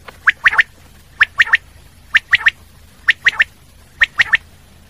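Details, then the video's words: Clean, regular common quail call: five crisp three-note phrases, each a quick sharp 'whit-whit-whit', spaced roughly one second apart against a quiet background. "Common quail sound// Batair ki awaz"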